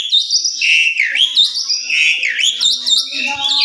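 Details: Asian pied starling, indoor lure song meant to make a bird sing quickly: swooping whistles that dip and rise again, mixed with buzzy overtones and brief squeaky notes, running without a break.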